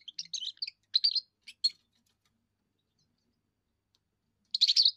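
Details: Young European goldfinch giving its first song, said to defend territory and attract females: bursts of tinkling, twittering notes in short phrases, then a long pause before another rapid liquid twitter.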